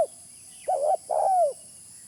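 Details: Spotted dove lure call: a mellow wavering coo, then a longer hollow note that slides gently downward, low in pitch against a steady faint high hiss.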